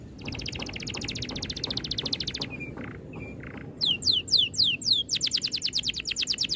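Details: Oriental magpie-robin training song, dense rolling delivery: a long buzzy rattling trill, two short flat whistles with pauses, then loud sharp descending whistled shots that lead straight into a quick chattering run.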